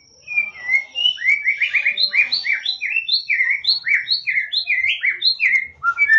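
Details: White-rumped shama singing in a lure recording meant to stir reluctant shamas: a long steady series of loud, sweet whistled notes in quick alternating high and low pairs, about three per second, with a faint high hiss behind.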